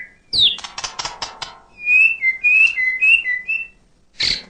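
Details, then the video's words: White-rumped shama (murai batu) singing continuously to provoke reluctant birds: a quick series of dry rattling clicks, then a run of short, clear whistled notes alternating up and down, and a final harsh burst. "MEMANCING EMOSI MURAI YANG MALAS BUNYI..#FULL ISIAN SUARA#MURAI BATU GACOR TERUSSSS"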